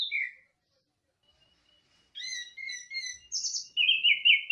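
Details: Orange-headed thrush singing teler: a short opening note, then a varied string of clear whistles and buzzy high notes over two seconds, in otherwise silent surroundings.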